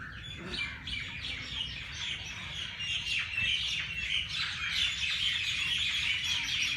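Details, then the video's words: Early-morning flock of birds in Lahore's Jilani Park at the Race Course, chirping in fast, crowded bursts of high tweets that grow fuller toward the end. "Birds sounds Chirping at race Cource Jilani Park Lahore صبح سویرے پرندوں کی پیار بھری باتیں"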